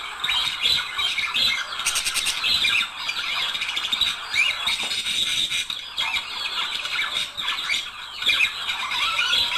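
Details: Budgerigar pair singing for mating stimulation: harsh buzzy squeals and rapid ticking bursts mixed with squeaky chirps, a constant busy chorus.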